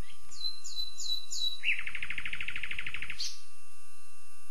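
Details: Common nightingale, described as a secretive, solitary songbird of leafy woods. It sings four descending whistled notes, then a fast, buzzy rattling trill, and closes with a brief high note.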